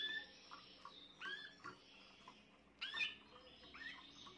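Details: Young Spanish Timbrado canary of this year, 14 June 2023, giving a clear whistled note, then curving, rolling phrases and a louder bright burst near the end, over faint background hiss.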